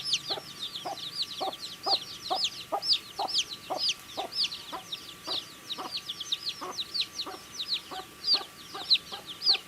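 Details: Baby chicks eating and peeping, a constant chorus of thin, high chirps, several louder ones rising above, with rapid pecking taps about twice a second throughout.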